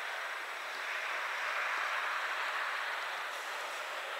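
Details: A steady, airy mid-pitched rushing sound, like wind in leaves or running water, continues throughout without any animal calls.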